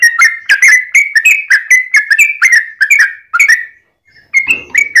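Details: Yellow-vented bulbul fighting song, played to goad other bulbuls into singing. A fast sequence of bright, bubbly whistles rising and falling, broken by a brief gap near the end before a few more notes.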